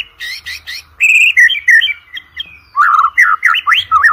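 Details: White-rumped shama singing, used to prompt competition birds: raspy chattering notes, then clear whistled phrases and quick rising and falling twitters.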